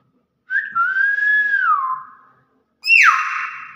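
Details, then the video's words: Nias hill myna calling in its natural voice: a long pure whistle that rises slightly and then glides down. After a pause comes a loud, sharp, downward-swooping whistled note with a buzzy edge. "BEO NIAS SUARA ASLI"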